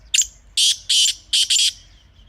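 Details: Black francolin (kala teetar) calling in natural surroundings: a loud, harsh phrase of five grating notes, a short clipped opener, then two longer rasping notes and a quick paired ending, over near silence.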